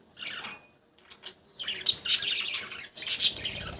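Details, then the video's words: Budgerigars: after a quiet start, bright high chirps come in short clustered bursts, loudest near the middle and end. "Cute budgies sound"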